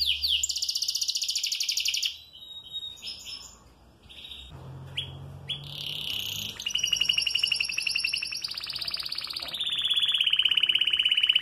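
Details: Male canary singing while moulting, said to sing all day despite losing feathers: fast high rattling trills and bright whistled notes, a short quieter break with a faint low hum, then long buzzy sustained trills that drop slightly in pitch.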